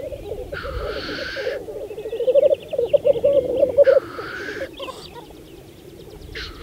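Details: Black grouse display at a Saaremaa lek, spring 2014: low burbling cooing builds to a loud pulsing run while repeated hoarse hissing sneezes burst out every few seconds from the displaying males.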